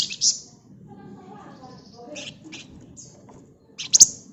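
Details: Flamboyan bird in dense ngebren song: a sharp high buzzy note at the start, soft faint twitters in between, and a closing burst of quick, shrill pulsed chatter.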